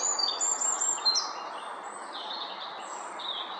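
A Eurasian wren sings a burst of rapid, very high, bright notes and trills that fade after about a second, over a steady background hiss.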